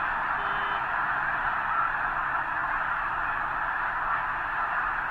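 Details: Massed snow geese at Potholes Reservoir's eastern end, a huge flock assembled ahead of the northward journey to arctic breeding grounds; a steady roar of countless blended goose calls, individual honks barely separable, with a faint higher tone briefly early on.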